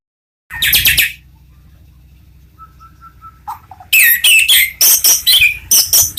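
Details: A caged white-rumped shama of a championship bloodline, praised as in full song, delivers loud bursts of rich, varied phrases, with a few soft low notes in a pause between them.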